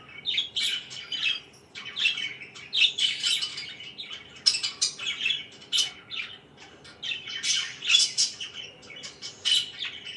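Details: Budgies chattering in the morning indoors, an uneven flow of scratchy chirps, squeaks and warbled phrases coming in bursts separated by short quieter gaps.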